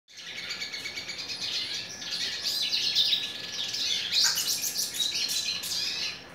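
A hooded siskin sings a fast, unbroken stream of high twittering and buzzy trills, with quick rising and falling notes throughout.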